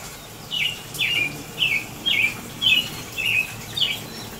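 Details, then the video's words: American robin singing through rain on April 22, 2018, giving seven evenly spaced, bright slurred whistled phrases at roughly half-second intervals, each sweeping down, with a steady rain hiss beneath. "American Robin singing in the rain"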